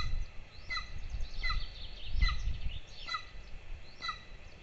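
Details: Two golden eagle chicks at breakfast on their nest in Lahemaa, Estonia, 22 June 2024, filmed by a nest camera: five high, slurred piping calls, roughly every 0.7 seconds, over a persistent deep rumble.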